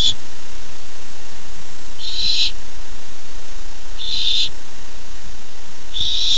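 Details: Young barn owl eager for its first treat of the evening, filmed by nest cam on 13 July 2015; rasping, breathy screech bursts recur about every two seconds, four in all, against a constant low electrical hum.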